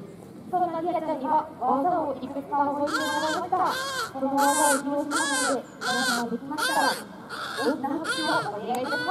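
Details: Striated caracara at a bird show in a garden in Japan, calling while running around; loud harsh rasping cries with strong harmonics, repeated in bursts roughly every second, with background music.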